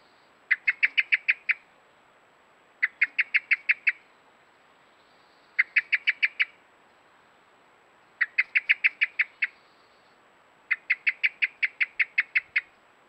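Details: Alarm call of a common blackbird with worms in its beak on a trail camera: five rapid bursts of six to eight sharp, metallic chinks, repeated roughly every two and a half seconds.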